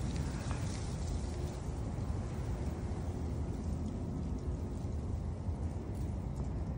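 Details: A low steady rumble of wind and distant noise runs throughout, with no animal calls.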